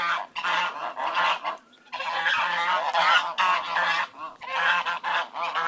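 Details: Flock of ducks quacking together in dense, overlapping bursts of harsh nasal calls, a near-continuous chorus broken by brief pauses around two and four seconds, with a steady low hum beneath.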